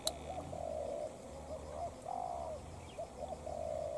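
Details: Decoy spotted dove battling a wild dove: rough purring coos, quick stuttered notes leading into long level coos, three phrases in four seconds, with a sharp click at the start.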